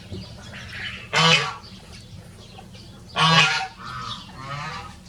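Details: Two Rosecomb bantam roosters, free-ranging show birds, crowing in turn: two loud harsh bursts about two seconds apart, each short and ragged with a low buzzy base, then fainter fragments, over steady low background hum.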